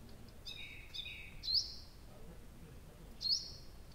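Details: Nightingale song in the night, Abramtsevo, early June 2021; paired low and high buzzy notes, then two loud rising whistles with drawn-out buzzy tails about two seconds apart, soft background noise.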